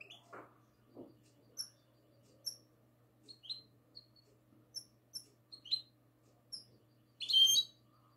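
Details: Goldfinch hybrid, classical song style, recorded on the night of 22 March 2020: sparse, short, high chirps spaced about a second apart, ending in a louder burst of twittering notes, over a faint low hum.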